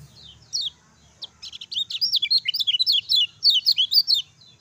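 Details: Lemon-bellied white-eye singing in the ciak ciak jos style, meant as a master song to stir quiet birds; a couple of lone high notes, then a dense burst of rapid, twisting chirps and whistles for nearly three seconds.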